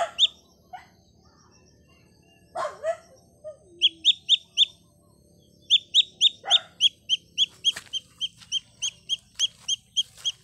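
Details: Baby chick calling loudly while looking for its mother: sharp high peeps repeated about three times a second, mixed with a few lower, softer sounds.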